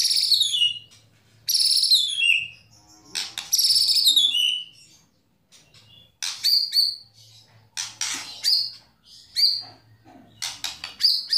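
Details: Loud white-rumped shama 'tembakan' phrases of the kind contest judges favour: powerful descending whistled sweeps, then sharp clipped high notes in irregular bursts, with a low hum at times.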